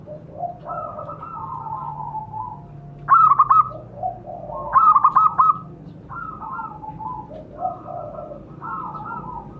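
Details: Zebra dove lure to set captive birds calling: soft wavering coos throughout, broken by two louder bursts of rapid, clipped, stuttering notes, against a hissing background.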